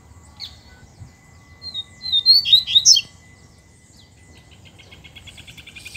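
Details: Double-collared seedeater singing against a loose free-flying male: a short burst of quick, buzzy, high warbled notes, followed by a faint rapid, even series of chips as background noise rises.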